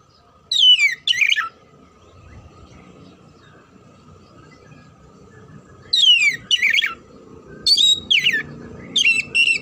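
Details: Oriental magpie-robin (kacer) song used to prepare birds for singing contests: two short bursts of steeply falling whistled notes, a long quiet gap with soft background rumble, then a cluster of fast descending and buzzy phrases.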